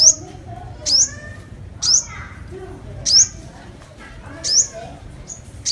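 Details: Five-coloured sunbird giving bright, high, sweeping chirps about one per second, with softer lower warbled notes between them.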